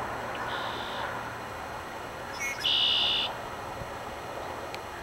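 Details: A red-winged blackbird sings early on a March morning (20 March, first day of spring): a couple of quick sharp notes, then a loud buzzy trill, with a fainter answering trill earlier over steady background hiss.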